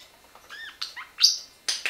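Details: Eight-year-old male Pacific Parrotlet indoors during a clicker step-up training session with a stick; a quick series of short high chirps and squeaky notes, some bending down in pitch, five or six in two seconds.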